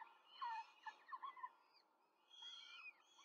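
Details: Peregrine falcon nest in Rome, nest camera, 5 May 2023, the female feeding four chicks; a loud descending squeal followed by a few short chirps, a pause, then fainter drawn-out whining calls.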